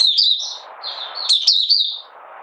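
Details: High, sweet warbling of a Malaysian Oriental white-eye, opening song, recorded 31 July 2023 while the bird was in minor moult and out of form; a continuous twittering phrase that fades into soft low hiss.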